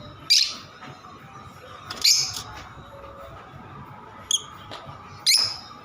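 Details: Lovebird making a few sparse, piercing squeaky chirps separated by pauses of one to two seconds, over a low steady hum.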